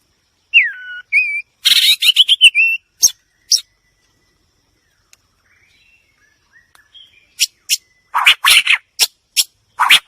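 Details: White-rumped shama: a falling whistle and short notes, a dense burst of rich, rapid phrases, a quiet gap, then harsh, scratchy notes repeated in quick groups.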